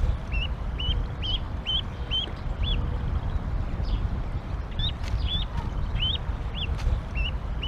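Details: Canada goose parents and goslings at a nest in Decorah, Iowa, on a rainy, cold April 28, 2022, during the goslings' jump: bright, rising peeps in irregular runs, a few faint clicks, constant low outdoor rumble.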